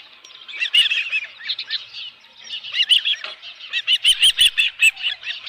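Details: Osprey calling at a ranch nest webcam in July, with a live fish at the nest: rapid series of high, squeaky chirping whistles, in bursts, building to a loud run of sharp repeated notes near the end.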